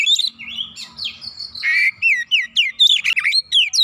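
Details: Oriental magpie-robin singing to provoke a rival: rapid varied whistles and downward-swooping notes with rasping inserts, delivered in quick loud bursts.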